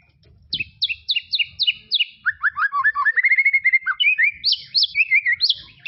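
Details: White-rumped shama singing in tropical forest: clear whistled phrases of repeated paired notes, then a quick run of descending slurred whistles and a rising, varied series of bright notes, all rich and loud.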